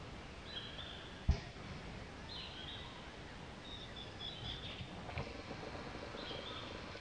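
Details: A female long-tailed minivet (Pericrocotus ethologus) at Pelling, Sikkim, India, in May 2018 gives thin, high whistled notes in short phrases about every two seconds, over a steady rushing background and one sharp knock.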